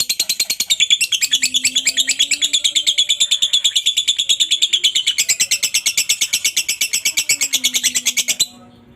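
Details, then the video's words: Long ngekek chatter of a lovebird, a master recording for training other lovebirds: a continuous high, rapid pulsed trill of rasping notes held for over eight seconds, shifting tone midway, then stopping abruptly. "masteran burung Lovebird ngetik,ngekek cocok buat lb lain biar cepat gacor ,ngekek panjang"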